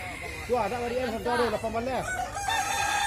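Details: Kukuak Balenggek roosters at a West Sumatra crowing contest. One clear, harmonic crow in stepped, rising-and-falling phrases stands out for about a second and a half over other birds crowing more faintly behind.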